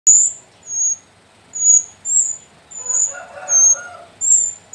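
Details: Captive young sooty-headed bulbuls from the slopes of Mount Sumbing, four chicks (three females, one male): thin, very high squeaky notes in short bursts, repeated about twice a second, with a brief low murmur midway.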